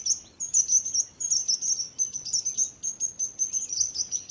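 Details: Softer, more uneven high bird chirps and twitters come in clusters over a light background hiss.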